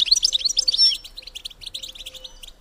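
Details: Female European goldfinch call meant to stimulate males to mate, a loud run of sweet, high twittering notes at the start that fades into softer, rapid chattering chips.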